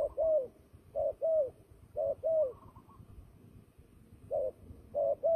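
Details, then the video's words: Clear paired coos of a fighting turtle dove used for trapping, low, rounded and falling, each pair spaced about one second apart, against a quiet background. "fighting dove"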